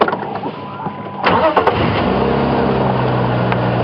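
A vehicle engine starts and settles into a steady idle, with no animal calls.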